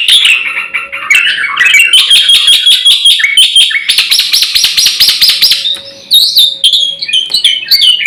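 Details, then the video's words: Richly varied black-winged myna song, used to lure and tutor birds: tumbling squeaky notes, buzzy repeated phrases, a loud run of rapid pulsed notes in the middle, then sharp whistled fragments. "SUARA BURUNG JALAK PUTIH GACOR FULL ISIAN"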